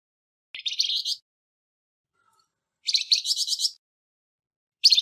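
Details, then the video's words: Flamboyan bird with a harsh voice, used to train songbirds; a rasping phrase, then a longer one of rapid grating pulses about two seconds later, and the start of a third, in silence. "Burung Flamboyan Suara kasar Untuk Isian Burung Ocehan Anda"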